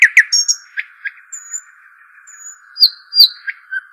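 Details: Arabian babbler: a burst of loud chirps, then a quieter stretch of thin whistles, and then two strong ringing whistled notes and further chirps, over a constant hum.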